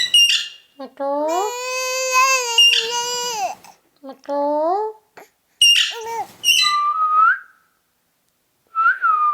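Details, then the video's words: Ring-necked parakeet talking in long, drawn-out, vowel-like phrases with a reedy, nasal tone, followed by a few short sharp syllables and two curling whistles near the end. "Ringneck Talking Parrot"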